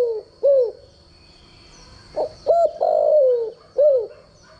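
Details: Spotted dove cooing from a training decoy: hollow upslurred notes, a brief rough note, then a long downward-sliding coo and a final rising note, with a faint steady high-pitched tone underneath.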